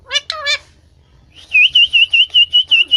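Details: Talking parrot giving three quick speech-like harmonic syllables, a pause, then a run of about eight evenly repeated high whistled notes.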